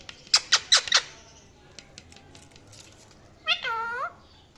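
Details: Four quick harsh squawks from a parrot in rapid succession, a quiet gap with faint clicks, then a drawn-out nasal harmonic call that dips and rises at the end.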